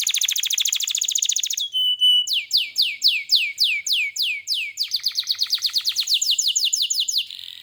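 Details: Lively gacor canary song: a rapid high trill, a brief steady whistle, then a run of descending swept notes about three per second, ending in a fast repeated chatter.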